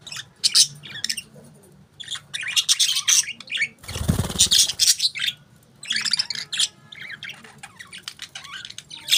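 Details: Parakeets chirping in busy, high-pitched chattering bursts, interrupted midway by about a second of low broadband rumbling noise, then the chatter resumes.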